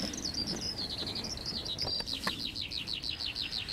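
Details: Spring song of a Eurasian skylark over fields, Las Kabacki Nature Reserve, Poland, 20 April 2021: high, rapid warbling that turns into a fast run of repeated downward-slurred notes, about three per second, over low background hiss.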